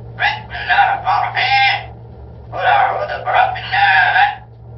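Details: A parrot reciting Quranic verses and Arabic phrases talks in two bursts of rapid, word-like syllables, high and nasal, with a brief pause between them; a low steady hum runs underneath.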